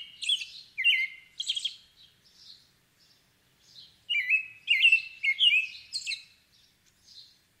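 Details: American robin song: two bursts of short, clear, warbled phrases that rise and fall, mixed with thin, high squeaky notes, against a quiet background.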